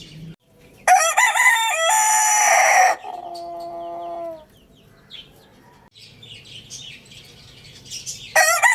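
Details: Rooster crowing loudly near the start with a long harmonic, slightly wavering note, followed by a fading lower tail, scattered small-bird chirps, and the start of another crow cut off at the end.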